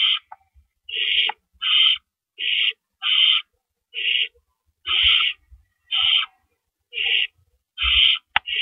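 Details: Owls at the nest in darkness, April 4 2012, amid deliveries of rabbits; a long series of short, harsh hissing bursts repeats roughly every 0.7 seconds, ending with a sharp click.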